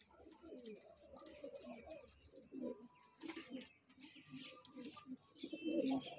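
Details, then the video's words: Soft low cooing from a young kanta kash breeding pair of pigeons comes in irregular phrases over a hissy, noisy background with faint higher chatter. "pigeon sound"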